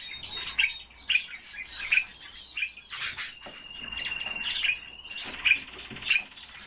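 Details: Common starling kept as a pet bird, singing indoors: sharp repeated whistled and clicking notes around every half second, a long level whistle in the middle, with a noisy scratchy burst and low room hum.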